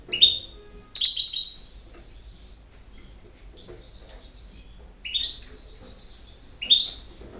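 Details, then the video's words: European goldfinch giving campero-style song: sharp twittering notes leading into long, rich buzzy trills, with brief pauses between phrases and a tinkling note in between, the bird loud and close with little background. "El Jilguero BiH 18"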